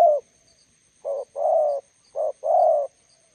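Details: Spotted dove, decoy encountering a wild bird by the roadside: two clear paired coos, a brief low note and a longer rough one, after the tail of an earlier call.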